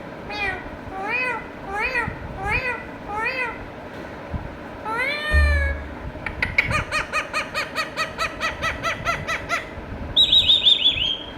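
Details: Indian ringneck parakeet kept as a pet, chattering to itself: a run of six nasal rising-falling syllables, then a fast stuttering series of clipped notes, ending in a high thin whistled trill.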